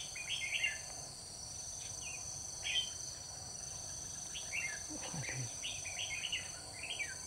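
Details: Red-whiskered bulbul decoy singing at a trap on 21 October 2019 to lure wild birds, a soaring high fighting-style song; short whistled, warbling phrases repeated through the clip over a steady high insect drone, with a few low thumps.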